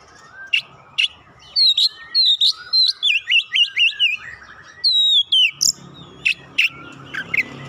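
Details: Gacor song of an Oriental magpie-robin used as stimulation. A few sharp clicks lead into rapid rolling whistled notes and buzzy slurs, then a long clear glide and scattered sharp calls.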